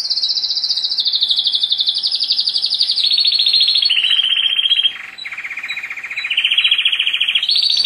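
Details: Pet male canary singing: continuous rapid rolling trills, high and bright, that step down in pitch in blocks, dip briefly near the five-second mark, then climb back up to a higher trill at the end.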